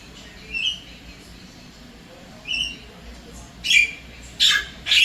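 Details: Wild Javan myna visiting an apartment in Singapore, calling its mate; short harsh chattering notes and rising squeaks come in bursts, a few spaced phrases then three loud harsh calls near the end.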